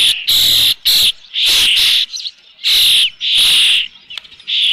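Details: An Osprey at its nest with a fish at Dunrovin Ranch, 3 June 2018, late afternoon, gives very loud, harsh, shrill screaming calls in quick succession, each lasting about half a second.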